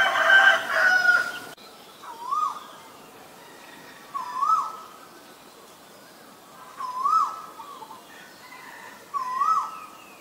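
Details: Male Asian koel giving four rising, upslurred whistled notes, one roughly every two and a half seconds, after a loud rooster-like crow at the start.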